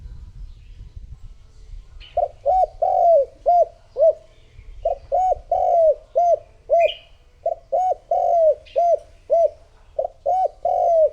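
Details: Spotted dove decoy bird calling to lure wild doves. Low hollow coos start after two seconds and come in quick runs of short notes with a few longer drawn-out coos. Faint higher chirps of other birds and a low rumble sit underneath.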